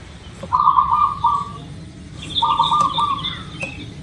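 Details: Zebra dove of local stock, played to prompt caged birds to sing. Two bubbling, segmented coo phrases about two seconds apart, while a thin, higher whistle from another bird joins the second phrase.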